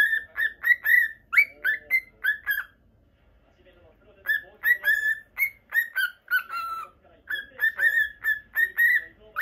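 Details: Indoors, a pet normal lutino cockatiel chirps and whistles in rapid, repeated short notes, sometimes rising or bending. The bursts run in two long bouts split by a few seconds of near silence.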